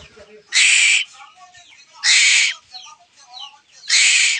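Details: A young pet Asian koel chick kept at home cries for food with three harsh, hissing screeches about every two seconds; soft chirps and faint twitters fill the gaps.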